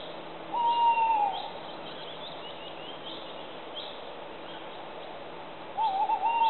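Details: Tawny owl hooting: a long, steady, slightly falling hoot, then after a pause of about four seconds a wavering, quavering hoot at the same pitch. Faint bird chirps sound in the background over steady outdoor noise.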